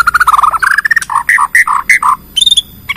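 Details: Bornean white-rumped shama singing in a lure recording meant to make other shamas sing: rapid strings of clear whistled and chattering notes, many repeated in quick series, mid-pitched with some higher buzzy bursts, loud and continuous.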